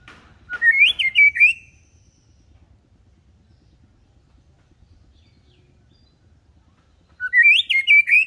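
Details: White-rumped shama song played to teach young birds to sing, from a bird kept calm and unaggressive: a loud, rich whistled phrase of rising and falling notes, then a long silence before a second similar phrase.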